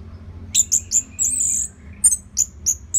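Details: Orange-headed thrush song for training songbirds: a string of high, sharp chirping notes, a drawn-out high trill in the middle, then more evenly spaced piercing chips.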